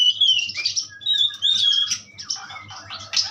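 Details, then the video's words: Asian pied starling, offered as a strong tutor recording, giving a varied song of high whistled notes and sliding squeaky phrases mixed with harsh gargled bursts, over a faint low steady hum. "jalak suren pastol ampuh"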